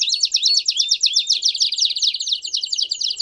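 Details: Belgian canary singing hard and loud: a fast, even trill of rapid high notes, with a few clear rising whistled slurs woven in, continuing without a pause.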